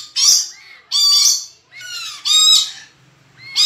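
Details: Tame pet red lory kept by a friend, lively and vocal, giving loud harsh rasping screeches in bursts about every second, each with a rough buzzy tone and a brief rising note between them, in a quiet room.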